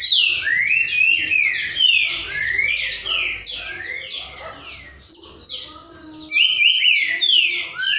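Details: Several green-winged saltators (Saltator similis) sing together at midday, 12:30 on Friday 22 November 2019, their loud, clear whistled phrases overlapping in a dense chorus.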